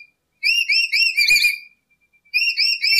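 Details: Lory recorded as a lure for attracting birds: two bursts of loud, shrill, harmonic-rich whistled notes, each rising then falling, run together in quick succession with a short silent gap between bursts.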